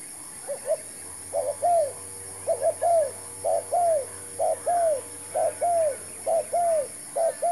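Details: Decoy spotted dove calling during a trapping attempt: repeated paired coos, a quick double hoot followed by a drawn-out falling coo, roughly seven phrases in even rhythm against a faint background hum.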